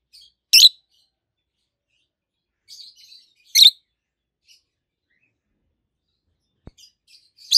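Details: Two healthy adult peach-faced lovebirds, both green, one red-faced and one yellowish white-faced, chirping indoors: sharp high broadband chirps spaced a few seconds apart, with softer twittering notes between them and a single click.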